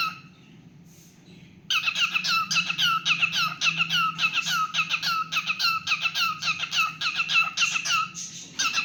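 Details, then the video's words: A pet cockatiel singing indoors: rapid chattering warble of short, sharply bent whistled notes, about two per second, starting after a quiet lead-in and continuing steadily with a faint low room hum beneath. "Cute Singing Moments"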